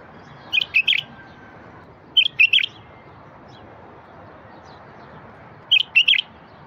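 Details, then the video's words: Bulbul song played to stir silent wild bulbuls: three clear phrases of two to three bright, bubbling whistled notes, each phrase separated by a pause of one to three seconds, faint hiss behind. "تغريد لفتح البلابل الوحشية الساكتة"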